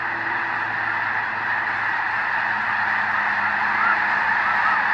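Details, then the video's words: Many snow geese calling together at the Hayton Snow Goose Reserve, Skagit Wildlife Area, near Conway, Washington: continuous overlapping yelping honks, with individual calls blurring into one constant roar. "Snow Geese"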